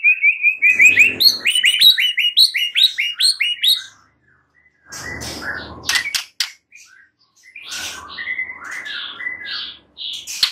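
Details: White-rumped shama giving a fast string of repeated bright, upswept whistled notes, then clicks and snaps with some rustling, and a further burst of chattering whistles.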